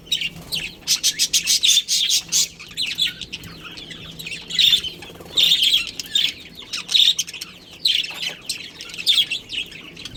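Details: Budgerigars kept in a colony, among them a breeding pair: rapid runs of sharp chirps at first, then steady bursts of squeaky chatter repeating through the recording.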